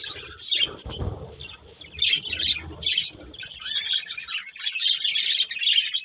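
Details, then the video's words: Colourful pet budgerigars, a breeding pair, chirping: bursts of high, scratchy warbled chatter separated by brief pauses, with some low thumping and handling noise underneath. "Cute Colourful Budgies Chirping Sounds"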